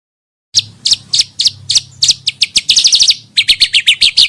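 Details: Pancawarna bird sound used for luring and song training: sharp, high chirps repeated at an uneven pace, a quick rattling run in the middle, then more evenly spaced chirps over a faint low hum.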